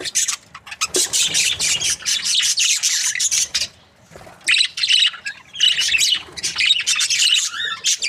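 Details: Breeding pair of budgies, said to be happy, warbling in long scratchy chatter phrases with a brief quiet break midway before resuming.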